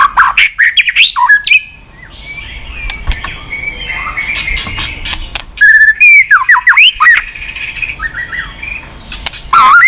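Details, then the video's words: White-rumped shama giving loud, fluty whistled phrases and quick chattering runs, separated by a quieter stretch of soft, distant twittering. "Chòe lửa tạch liên tục"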